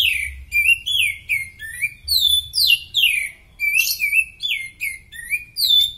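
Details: Oriental magpie-robin in very fit condition, recorded as a tutor song for other birds: loud, varied, whistled phrases with sweeping downslurred notes and sharp chips, delivered nonstop over a low background hum.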